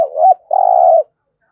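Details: A single phrase from a spotted dove in Đồng Nai, cooing in competition style: one rising, looping note, a brief gap, then a long, even, vibrating coo that cuts off cleanly.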